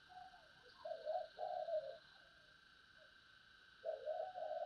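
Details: Spotted dove singing in the sấm bầu style: low, hollow coos in a quick two-part phrase, a pause of about two seconds, then a further run of coos, over a steady electrical hum.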